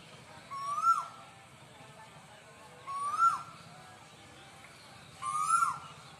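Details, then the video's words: Cuckoo calls repeated regularly: three slurred whistles, each rising then falling, spaced roughly every two and a half seconds, with higher overtone whistles and a quiet hum beneath. "Sound of cuckoos"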